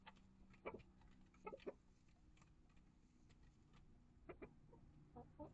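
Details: Chickens in a coop and run housing Rhode Island Red, Barred Plymouth Rock, Light Brahma hens and integrated young chicks: scattered soft clucks in short pairs and triplets, with a steady low hum and faint rustling behind them.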